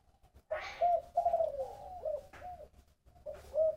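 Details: Close, loud spotted dove cooing in the 'thổ bầu' voice: a brief coo, then a sustained sliding note falling in pitch, a pause, and another short coo at the end.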